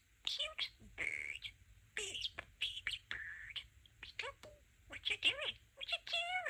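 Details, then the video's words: Pet budgerigar (talking parakeet) producing mimicked speech: quick, whispery, high-pitched syllables in short bursts mixed with warbled chirps and rising-falling squeaks. It chatters almost continuously for over six seconds in a quiet indoor setting. "Talking Parakeet"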